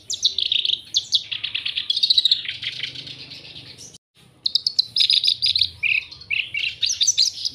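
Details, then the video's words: Vigorous song of a black-browed reed warbler ranging high and low: fast grating chatter and rattling trills, a short silence near four seconds, then squeaky and harsh notes alternating in quick succession. "MASTERAN KERAK BASI ALIS HITAM SUPER GACOR"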